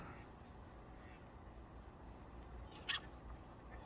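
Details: Mandarin duck making hiccup-like sounds, though the observer is unsure whether it is a mandarin or another duck: a single sharp, hiccup-like note after faint soft high peeps, over low rumble and steady hiss.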